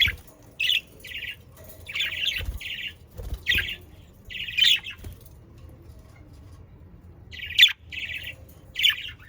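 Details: Budgerigar sounds played to encourage pet parakeets to sing: short buzzy chirps repeated in small clusters, quiet pauses between groups, with faint knocking in the background.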